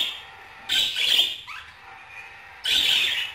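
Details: Budgerigar giving two short, harsh, buzzy bursts of chatter about two seconds apart, with a brief thin rising note between them and quiet background otherwise.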